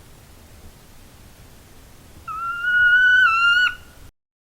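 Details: Northern Saw-whet Owl agitated whine, a call used rather than toots on Illinois wintering grounds: one drawn-out, slightly rising whine about a second and a half, nasal and rich in overtones, over quiet background hiss.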